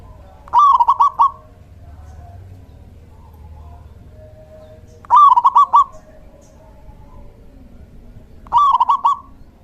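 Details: Local male zebra dove cooing as a decoy for attracting birds: brief bubbly phrases, a drawn-out note breaking into rapid trilled notes, repeated at roughly four-second intervals over quiet background hum.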